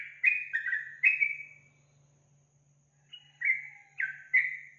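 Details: Yellow-vented bulbul song used to encourage a caged bird to sing: two bursts of liquid gurgling whistles, rich and slurred, separated by a second of quiet, with a low electrical hum throughout.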